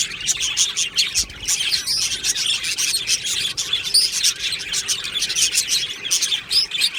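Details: Budgerigar colony in an aviary, recorded 22 June 2025: dense, continuous chirping and warbling from many birds at once, bright high twitters overlapping without pause, with short clicks scattered through.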